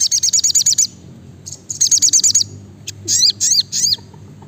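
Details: Brown-throated sunbird singing close and loud: two rapid runs of high, clipped repeated notes, followed by several sweeping, down-slurred high whistles.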